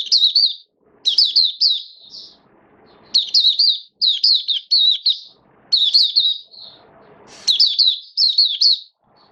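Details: Oriental white-eye, a hobby cage bird in build-up singing form, 19 September 2022, delivering fast high twittering phrases of linked downslurred notes, each phrase about a second long, separated by brief gaps with soft low rustling.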